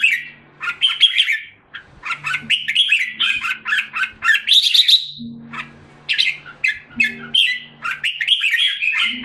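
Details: Caged red-whiskered bulbul in Singapore, recovering health after moult and deworming, sings a long energetic sequence of warbled, whistled phrases with a buzzy trill midway, notes coming in rapid clusters, over a low hum.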